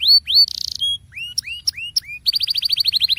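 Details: Canary singing as a lure to set other canaries off. Two rising whistles and a buzzy burst are followed by a few scooping upslurs, then a brisk rolling trill of repeated notes, about three per half second.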